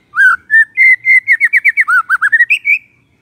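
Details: Morning song of a white-rumped shama, played to provoke quiet shamas into answering: sweet whistled notes starting slow, then speeding into a rapid run of short slurred whistles before two higher closing notes.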